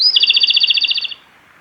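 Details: Male Japanese robin song recorded at Yanagisawa Pass, 28 April 2019: a sharp high introductory note, then a fast, even, rattling trill of about fifteen pulses over one second, ending abruptly; quiet background.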